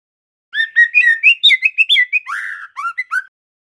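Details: Juvenile male white-rumped shama with speckled plumage learning to sing, delivering a rapid series of clear whistled notes that step up and down, followed by a fuller slurred warble and short closing whistles; no other sounds.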